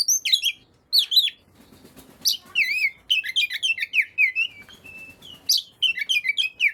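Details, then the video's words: Oriental magpie-robin singing to stir other magpie-robins into song: short clusters of bright, downslurred whistles and chirps, a brief lull, then a longer fluid run of varied notes. "burung Kacer yang males bunyi pasti ikut gacor 100%."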